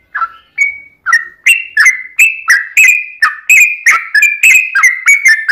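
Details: Vigorously singing yellow-vented bulbul in a long rapid phrase, played to make other bulbuls answer; after a soft start, a steady run of rich, warbled whistles alternates between higher and lower notes.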